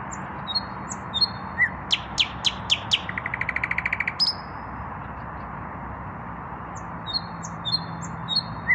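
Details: Common nightingale, a male without a mate yet, singing in the evening: thin whistles, then loud sweeping strokes and a fast accelerating trill of clicking notes, followed by a pause and soft high whistled phrases.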